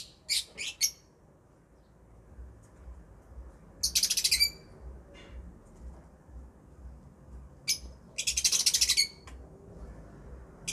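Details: Lovebirds chirping: short bursts of shrill, harsh, very high chatter, several rapid notes per burst, separated by silent gaps of a few seconds, over a faint low hum.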